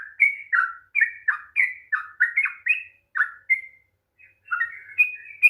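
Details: Sooty-headed bulbul singing in the long 'ropel panjang' style to coax a reluctant bird: a run of bright, chirpy whistles, a short silence, then the phrases resume, rising at the end.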